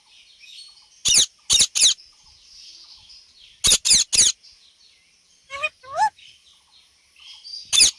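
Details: Parrot making sounds: two triplets of loud, harsh squawks, a pair of short rising voice-like notes, and a single squawk at the end, with quiet gaps between.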